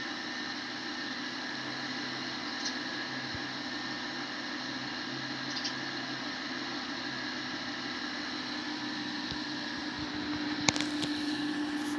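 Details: Steady fan-like hiss and low hum with a sharp click near the end; no clear animal calls.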